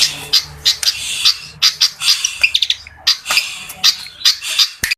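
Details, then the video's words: Fantail singing a fast, irregular stream of sharp, high, clicky chip notes in quick clusters, with brief trilled bits between them. The notes are loud and close, with little other sound behind them. "suara burung kipasan"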